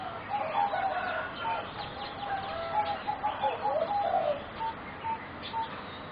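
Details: Captive competition-bred singing zebra doves, four young birds roughly 3.5–4 months old; a string of short, clear, mid-pitched coo notes, some clustered quickly and others spaced about half a second apart, over faint rustling.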